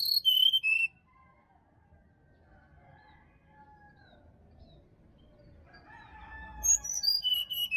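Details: Wild sirdadu from Bali forest, used as a morning prompt for a caged bird that will not sing. A falling cascade of loud high whistles opens, quiet soft notes follow, then another descending whistled run.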